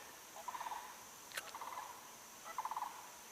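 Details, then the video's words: Distant Sandhill Crane near Shinn's Ditch by the Withlacoochee River on a dreary, humid, muggy day, giving three rolling, trumpeting rattles about half a second each, with a sharp click between the first two. "as you can probably hear that's the call of the crane"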